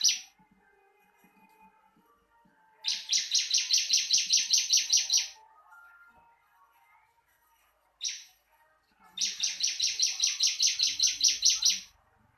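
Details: Ciblek song for training caged birds: a single falling note, then a long rapid trill of about fifteen buzzy high chirps; the same pattern is repeated once more.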